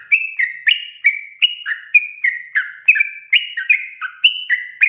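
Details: Lively sooty-headed bulbul song played to draw out wild birds: a run of some sixteen brief, slurred notes over five seconds, alternating higher and lower pitches in a steady bubbling rhythm.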